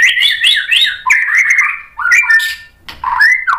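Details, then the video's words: White-rumped shama with a bold, varied song of repeated warbled whistles and buzzy chatter, phrases rising and dipping, broken by one brief pause; low hum in the background. "MURAI BATU GACOR MEMANCING EMOSI jadi NYAUT BUNYI BONGKAR MATERI ISIAN | PANCINGAN MURAI"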